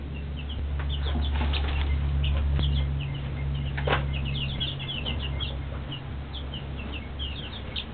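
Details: Two-week-old Rhode Island Red and Shaver Red chicks peep together in a steady stream of short, high cheeps over a loud low hum and rustling.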